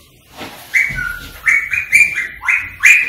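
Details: Rose-ringed parakeet sounds to stimulate singing and mating: a short series of loud shrill flat squawks, about six in three seconds, with one lower whistled note.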